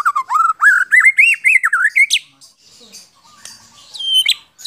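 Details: White-rumped shama from Central Java, Indonesia, kept as a training bird for songbirds: fast, varied warbling phrases with rising, wavering whistles, a short pause, then a high, sharp whistled ending.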